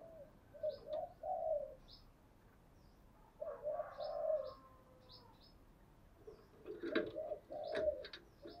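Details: Spotted dove used as a lure, singing thúc, gù and gáy gọi calls: moderate coos in short groups with gaps between, while other small birds chirp high and thin in the background outdoors.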